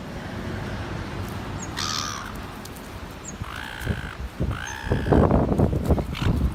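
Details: Gull at North Shore bullying the other gulls at a feeding spot and keeping them from the food; three harsh, nasal squawks with stacked harmonics, each under half a second, spaced about a second and a half apart, over wind and rustling noise.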